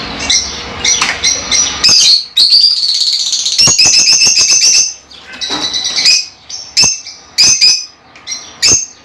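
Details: Lovebirds, small colourful parrots native to Africa, chatter in dense shrill high chirps, a sustained noisy run early on, then scattered sharp squeaks and clicks.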